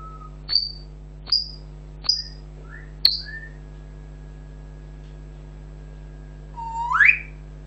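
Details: Pet African grey parrot giving four sharp high clicks about a second apart, brief soft chirps, then a loud rising whistle at the end, with a constant low hum.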